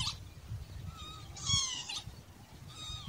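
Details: Spur-winged lapwing uttering several shorter, fainter calls, rasping and nasal, with one stronger grating note in the middle, over faint low background noise.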